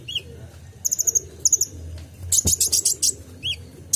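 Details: Kolibri ninja sunbird, tutor song for caged songbirds: short rapid trills of very high ticking notes, a dense burst of sharp chips in the middle, and occasional lower slurred whistles.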